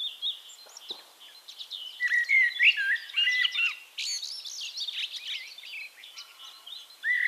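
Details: Eurasian Blackbird song from Castricum, the Netherlands, with low mellow warbled notes mixed among busy high twittering from several birds, dense chirps crowding the middle of the recording, and a fluty phrase at the end.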